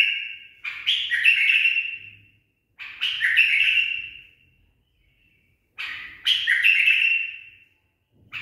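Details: Tame pet bulbul with trained song delivers three separate loud warbled whistles, each starting sharply, rolling through a few pitch steps and tapering off, spaced about three seconds apart; faint low rumble in the background.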